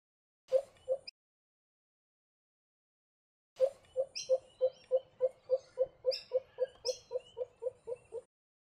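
A pheasant coucal gives a steady run of deep, hollow hoots, about three or four a second. Thin, high chirps from other birds sound faintly above it.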